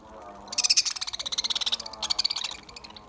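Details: Lovebirds eating green food in summer give a burst of rapid, high chattering notes, roughly a dozen pulses a second, pausing briefly before a second shorter chattering run.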